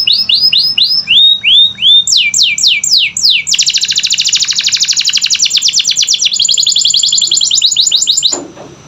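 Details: Canary song played to stir reluctant canaries: repeated swooping downslurred whistles, some lower and some higher, giving way to a long, even, very rapid high trill that stops abruptly near the end.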